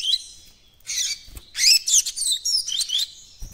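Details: A young captive double-collared seedeater (coleiro baiano) trying to open its song gives a halting run of high, squeaky chirps and twitters in short bursts with brief pauses, not yet a full song.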